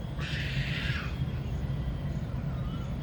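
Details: Peacock displaying to a peahen during the rainy season gives a single loud, harsh, braying call of about one second, followed by steady low rumbling background noise.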